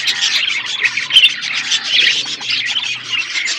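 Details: Budgies at their food in an outdoor aviary produce steady warbling chirps, quick high notes running together into a constant flock chatter.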